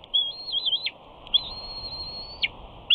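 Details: A bald eagle chick on a Big Bear nest screeing for fish after its father lands on a perch above. Two high, piercing whistled screes, the second long and level, each ending in a quick downward snap.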